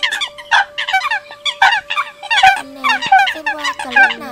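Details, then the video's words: Eurasian coots on a lure recording for catching birds, October 2020: rapid, clustered, harmonic calls about seventy times a minute, uneven in rhythm, above a steady low tone. "Tiếng Sâm Cầm Mới Nhất 2020 - Tiếng Sâm Cầm Độc Quyền Đánh Cạnh Tranh Và Ăn Chim Nhất"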